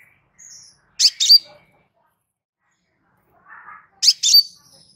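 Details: Calm crimson sunbird voice used as a tutor recording for cage birds: a faint low twitter, then a quick double chip, very high and sharp, repeated after a three-second pause.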